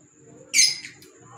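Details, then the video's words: A pet green Fischer's lovebird gives a single short, shrill squawk that trails off into a softer rasp. A faint steady high-pitched whine runs behind it. "Fisher Love Birds Sound"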